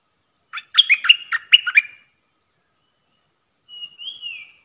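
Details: Bulbul used as a decoy bird, 8 May 2021: a rapid, chattering run of five or six bubbly notes, then silence, followed by a faint thin rising-and-falling whistle.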